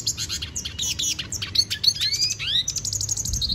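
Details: Venezuelan goldfinch song made of quick twittered notes, rising upswept whistles and a trilled buzzy ending, all high-pitched and continuous, with a soft low background hum.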